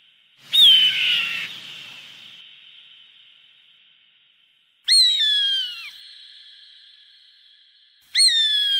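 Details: A hawk, its calls used to scare birds away, gives three harsh, high, down-slurred screams, each about a second long with a hoarse tail, spaced several seconds apart over a quiet background.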